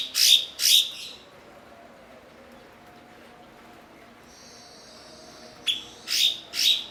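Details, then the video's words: Blue-winged leafbird used as a training master for other songbirds, fluent at mimicry; two loud rasping notes, a quiet stretch with a faint buzzy trill, then a sharp note and two more swelling rasps. "MASTERAN BURUNG BERKICAU "CUKOK""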